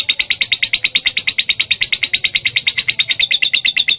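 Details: Lovebird on training audio used to trigger a response: steady, rapid, shrill chatter at about eight notes a second throughout, with a faint low hum underneath.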